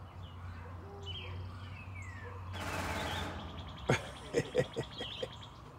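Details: Woodpecker drumming on a metal RV while courting another woodpecker atop a pole, sounding like a machine gun: half a dozen sharp, ringing knocks in uneven bursts after a rush of noise, over a low hum with faint chirps.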